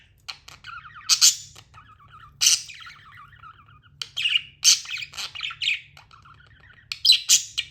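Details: Pet budgerigar chirps: bursts of rasping squawks separated by quieter warbled strings of pulsed notes, the chatter stopping and restarting over several seconds, over a low steady hum.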